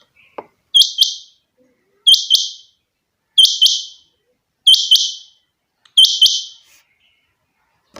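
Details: Kept rain quail, known locally as chinga batair, calling. It gives sharp, bright double notes, a paired whit-whit, repeated steadily about every 1.3 seconds, five pairs in all, with faint clicks between.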